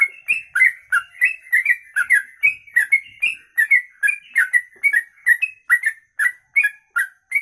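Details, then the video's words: Sooty-headed bulbul delivering a long 'kongslet ropelan' song used to tutor songbirds: fast, bubbling chain of varied whistled notes, some rising and some falling, three or more per second. "Trucuk Kongslet Ropelan Panjang"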